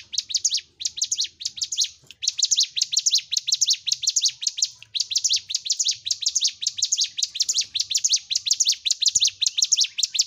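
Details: Hill prinia (Prinia superciliaris), song.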